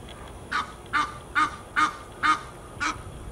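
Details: Six clear nasal honks from geese in Fort Lauderdale, Florida, USA, spaced about every half second, each short with a bright harmonic ring.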